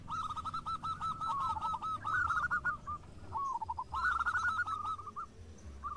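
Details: Several local zebra doves calling back and forth in energetic song. Long, continuous runs of quick, evenly pulsed coos overlap, then a second bright stuttering series follows after a short gap, with steady low background noise.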